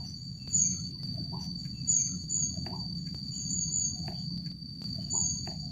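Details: Rufous-backed kingfisher (Ceyx rufidorsa) at the Jatimulyo bird-conservation village gives very high, thin, sharp tseet calls, repeated several times over a steady insect drone and low background rumble.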